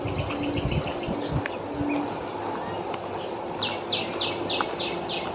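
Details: Birds calling among trees on the Mangaldhara property grounds in Barrackpore: high, sharp chirps in quick series, with a run of clear downslurred notes repeated near the end over steady background hum.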